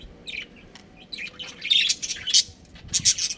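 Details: Budgerigar colony with a breeding pair, chattering in quick, sharp, high-pitched chirps and squeaky notes. The calls start sparse, then grow busier and louder toward the end, with short bursts about every fraction of a second over quiet background.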